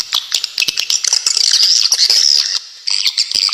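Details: Swiftlet call recording offered as a masteran tutor for songbirds, with sharp besetan notes: dense high twittering and rasping chatter, rapid clicks and buzzy trills packed together, a short pause near the end before chattering resumes.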